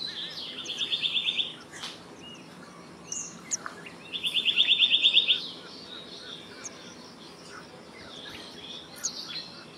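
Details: Black-naped monarch, also called black-naped blue flycatcher, giving two fast, even trills of about eight high ringing notes each, roughly three seconds apart. Scattered faint chirps and ticks are heard in between.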